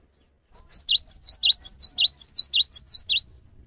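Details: High, piercing Cinereous tit phrase meant to spur other birds to sing. Rapid paired notes alternate between a thin upper tone and a lower swooping one, about fourteen notes in under three seconds, with clean silence around them.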